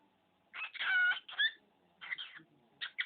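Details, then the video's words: Talking pet budgerigar, a male that copies words and people's sneezes, gives a tumbling run of raspy, buzzy syllables with a bright whistled tone inside, a brief gap, then clipped chattering notes; otherwise quiet. "Bj talking and sneezing"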